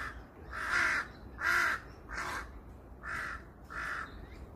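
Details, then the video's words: Wild crows calling on Seongbuk-dong hill in Korea: a series of five rough, drawn-out caws, some louder than others, spaced under a second apart against a low outdoor rumble. "성북동산의 까마귀노래소리"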